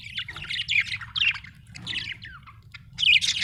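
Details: Budgerigar chirping: bursts of scratchy, warbling chatter mixed with short squawky notes, loud phrases at the start and again near the end with a quieter pause between, over a faint low hum.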